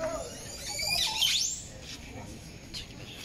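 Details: An oropendola at Tortuguero, Costa Rica, gives a single liquid, gurgling call with a quick swooping slide down and back up, over a soft hiss of background noise.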